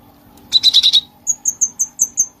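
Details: Bulbul in full voice, kept as training audio for songbirds: a harsh, buzzy burst of rapid notes, a short pause, then thin high chips spaced evenly about five per second.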